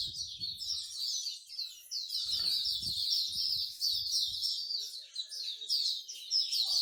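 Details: Songbirds at a Singapore bird singing corner pour out an unbroken, high-pitched chorus of quick chirps and warbled trills, with a few soft low thumps and background noise.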